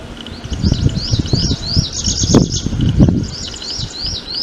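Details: Prinia repeating bright, rising arched notes, then a rattling buzzy trill, then more arched notes, against fairly loud low-pitched rustling and handling noise.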